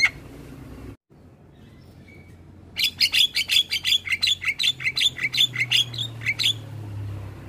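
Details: Javan myna morning song as a model for young birds: after a near-silent start, a rapid run of about twenty sharp, evenly spaced chirped notes, roughly three per second.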